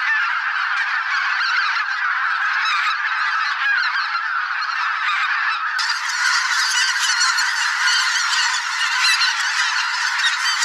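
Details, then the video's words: Thousands of migrating geese, greater white-fronted, bean, barnacle and pink-footed, massed in a spring swamp; constant overlapping honking, somewhat softer at first, then growing brighter and fuller partway through as the chorus swells. "Geese - large flock of migrating birds in spring"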